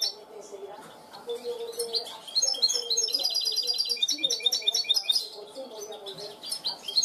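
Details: Clean-song trained goldfinch hybrid starting with sparse notes, then building into fast repeated high trills and sharp twittering elements; faint low murmuring throughout.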